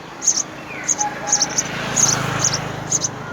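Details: House sparrow nest with three young being fed by mother and father: thin, very high double squeaks repeated in quick bursts, over a low hum and faint chirps in the background.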